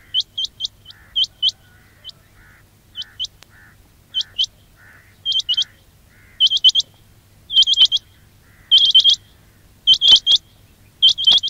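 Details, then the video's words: Quail calls used as a trapping lure: high, sharp upward-flicking chirps in quick bursts of two to four, with pauses between groups, against a faint low hum. "quail batair ki awaz"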